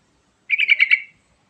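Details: Yellow-vented bulbul song used as a lure to prompt other birds to sing: one quick burst of about six sharp, chattering notes, bright and bubbly, lasting around half a second in otherwise quiet surroundings.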